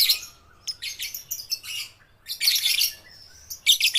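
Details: Young lovebirds, baby and balibu (under five months) birds learning to sing, give harsh, buzzy high chirps in irregular bursts, some longer squeaky runs, with short pauses between.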